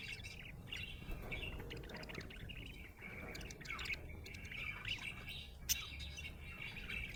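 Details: Budgerigar described as happy, chirping steadily: a continuous run of warbled chatter and short sharp chirps, with a brighter squeak near the end over a low background hum.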